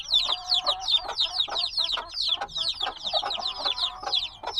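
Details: Several black chicks a few days out of the egg, recorded binaurally, peep urgently. Bright, piercing downslurred notes pile on top of one another in a busy, irregular stream.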